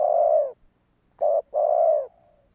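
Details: Spotted dove call for attracting wild doves. A long, level coo is followed by a short coo and another sustained, slowly falling note that trails off softly. The surroundings are quiet.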